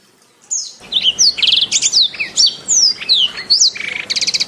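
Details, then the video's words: Canary song for masteran training, beginning after half a second: clear down-slurred whistles alternate with rapid rolled trills pulsing several times a second, finishing in a fast rattling trill. "Masteran Terbaik Kenari"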